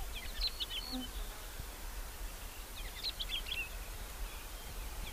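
Crimson-winged finch giving two short bursts of soft, chirpy, slightly rolling notes about three seconds apart, over steady low wind rumble.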